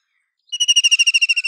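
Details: Loud, steady series of rapid pulsed notes from a White-throated kingfisher, a trill beginning abruptly after half a second of quiet and running to the end.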